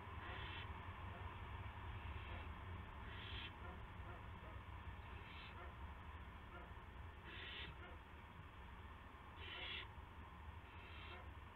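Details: Owl on a live nest camera, March 18, 2016 in the evening, one bird bringing a gopher to another; repeated raspy hisses, about six across the stretch, some fainter, over low rumbling hum.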